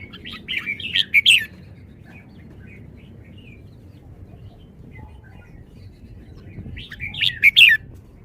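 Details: Red-whiskered bulbul delivering two song phrases several seconds apart, each a fast, bright sequence of loud whistled notes ending in ringing downslurs, with faint twittering in between.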